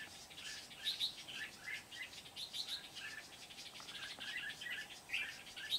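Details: Decoy-assisted trapping of wild Red-whiskered bulbuls at Kim Bôi on 8 September 2019; lively chirping and whistled notes come in rapid clusters, rising and falling, with sharper high squeaks scattered through a busy stretch of song.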